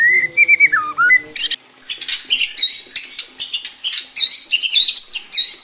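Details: White-rumped shama song used to provoke rival shamas: opens with slurred whistles dipping downward, then a rapid series of sharp, high upswept notes and clicks repeated in quick bursts.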